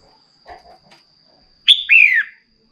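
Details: After a few soft mid-pitched chirps, a female red-whiskered bulbul delivers one loud phrase to rouse a male into song: a sharp onset note then a long downward-sliding whistle, over a faint constant high whine.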